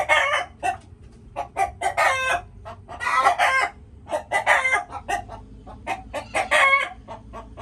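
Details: Chickens making noisy, harsh squawks and clucks in uneven bursts, some drawn out and rasping, others short and clipped, overlapping each other across several seconds.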